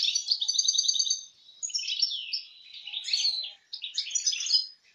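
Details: European goldfinch singing a fast, high, tinkling song: an opening run of rapid repeated buzzy notes, then jumbled twittering phrases with short pauses, all clear with no other sounds intruding.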